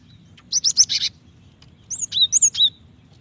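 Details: Java sparrow female calling the male, used to set off singing: a quick string of buzzy high chirps, a short gap, then several clear ringing, bell-like notes.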